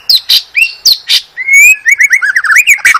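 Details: White-rumped shama from Medan singing as a training master for cage birds: sharp high chirps followed by a long clear whistle and a quick rolling string of slurred notes.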